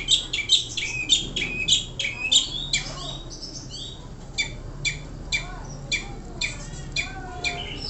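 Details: Long-tailed shrike, a songbird billed as a champion of hanging-cage singing contests, giving harsh, scratchy high notes in quick bursts, then sharper clipped chips spaced about every half second; faint low hum underneath.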